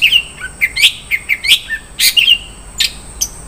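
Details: Long-tailed shrike with a rich 'isian' repertoire: varied chirps, slurs and scratchy bursts in quick succession, then fading sharp ticks.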